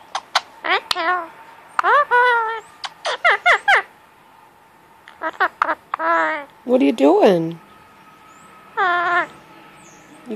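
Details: Pet male Indian ringneck parakeet indoors at cuddle time, talking randomly to get attention and petting; rapid bursts of squeaky, warbling voice-like phrases with bending pitch, in quick clusters separated by short pauses over ten seconds.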